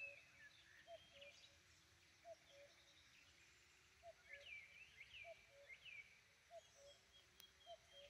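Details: In the morning, an owl gives soft, fairly high hoots in pairs, repeated about every second or two, while other birds chirp and chatter higher up over a quiet outdoor hiss.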